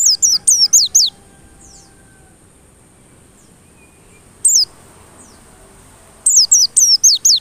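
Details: White-eye song played to goad white-eyes into persistent singing: brief bursts of high, falling, whistled notes, first a one-second burst, a single note after a long silence, then another rapid burst near the close.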